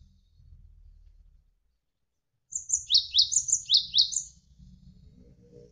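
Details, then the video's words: Javan sparrow in a gacor tutor recording for training songbirds, with dense rapid bursts: after silence, a run of about eight sharp, high, downward-slurred chirps with thin higher notes between them, over faint low background rumble. "MASTERAN GELATIK WINGKO Gacor Berjeda 1-3 Menit"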